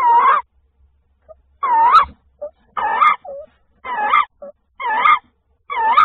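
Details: Tawny owl (Strix aluco) on 28 February 2024, around a prey delivery by the male: hoarse, nasal, wavering calls, six in a row at roughly one-second intervals, with a few soft short notes between them.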